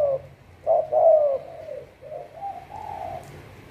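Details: Decoy spotted dove used in trapping gives a strong falling coo, then softer trailing coos that fade in a low murmur.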